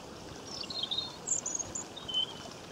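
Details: European robin singing by a stream in Cornwall, Great Britain, in May 2015: high thin whistled notes and short trills, fairly quiet against a steady rushing-water background.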